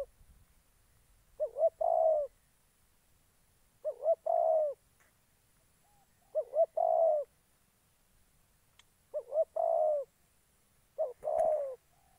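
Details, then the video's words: Spotted dove kept as a trapping decoy in Gia Lai, Vietnam, repeating a soft cooing phrase of two or three low notes ending in a longer hollow coo, about every two and a half seconds, with quiet gaps between. "Bẩy chim cu gáy"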